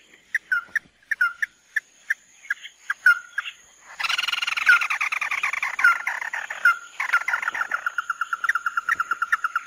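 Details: Chim mắt đỏ tí nỉ song: sharp, spaced clipped notes and slurred whistles, followed by a long stretch of dense, buzzy, rapidly pulsing chatter.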